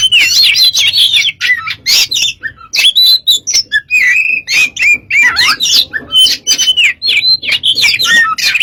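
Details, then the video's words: Kacer (Oriental magpie-robin) in energetic lure song: a dense jumble of high whistles, buzzy notes and sweeping slurs delivered almost without pause, over a faint low hum. "burung kacer gacor untuk pncingan"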